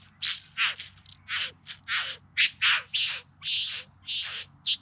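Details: Bowerbird in the Yarra Valley just outside Melbourne, filmed in September 2020 during courtship display; loud harsh, rasping notes repeated about twice a second in an uneven series, each a short broad burst.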